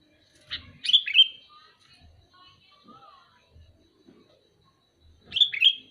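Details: Sooty-headed bulbul calling twice: a cheerful, rolling phrase of several quick liquid whistled notes, then a similar phrase about four seconds later, in an otherwise quiet setting with faint low knocks.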